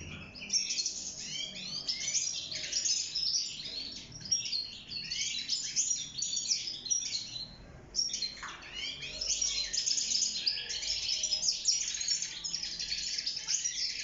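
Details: Wild goldfinch kept in a cage, singing to mate and build a nest; long, rapid twittering song of chirps, trills and buzzy notes, with a short pause near the middle before resuming.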